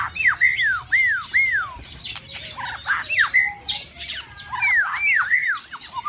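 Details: White-rumped shama kept in a bird cage during mating season: loud looping whistled notes sweeping up and down, grouped in quick runs, broken by sharp clicks and higher twitters.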